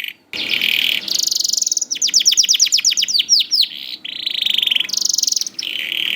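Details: Young canary singing, recorded as a lure to get reluctant canaries to sing: rapid trilled tours of repeated notes, buzzy rattles and down-slurred whistles, with short pauses between phrases and faint background hiss.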